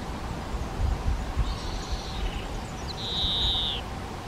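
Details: Spotted flycatcher nest in a half-open box on a garden shed, parents feeding nestlings; two drawn-out high hissing sounds, the second louder and about a second long, over low-frequency noise.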